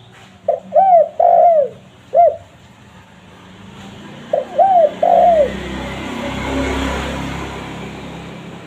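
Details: Spotted dove cooing, played to attract wild doves. Two phrases, each with short wavering coos ending in a falling note, are separated by a pause. A rising wash of background noise follows.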